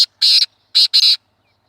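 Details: Black francolin (kala teetar), recorded in a hunting context: three harsh, rasping, high notes, a short one followed by two longer ones close together, then silence.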